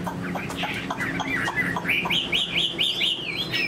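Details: Cage-kept fan-tailed Chinese hwamei: muffled broken notes and background noise give way to five evenly spaced rising whistles, each ending in a brief downturn.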